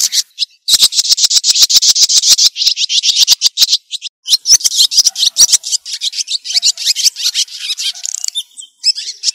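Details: White-breasted woodswallow flock-gathering call: rapid, harsh, buzzy chattering notes in dense bursts, several per second, high-pitched and scratchy, with no other sounds.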